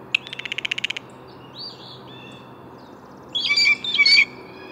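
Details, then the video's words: Blue jay calls: a quick run of about ten dry clicking pulses comes first, then a faint whistle. Near the end a pair of loud, harsh, nasal notes follows. A soft hiss of background lies beneath. "Blue Jay Bird Calls"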